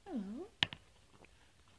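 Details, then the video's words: A rescued rainbow lorikeet without flight feathers whispers a soft, breathy "hello" in a low, dipping voice while eating a honey treat, followed by two sharp clicks and faint room noise. "rescued lorikeet says Hello"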